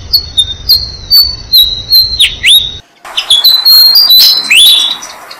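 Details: Malaysian pied fantails feeding six-day-old nestlings on a jam tree: a stream of high, level whistles with downslurred squeaks. It breaks off abruptly, then resumes as a denser, louder jumble of thin calls.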